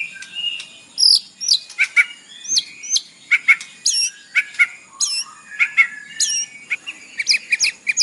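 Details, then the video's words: White-rumped shama isian song used as a morning lure for captive birds: quick varied phrases of hooked whistles, sharp clicks and repeated chattering notes, loud and evenly spaced throughout. "PANCINGAN pagi hari EFEKTIF bikin Gacor dengan suara murai batu isian"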